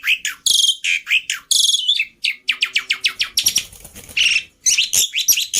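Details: Black-winged myna song meant as a tutor track that is easy to copy: loud, fast alternation of harsh rasping bursts and short high chirps, with a dense stuttering passage near the middle.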